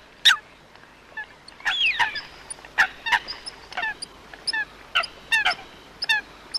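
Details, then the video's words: Coot giving loud, abrupt honking calls, single notes and quick doubled bursts separated by short quiet gaps, sharp and nasal with a bright ringing edge. "Coot best voice call"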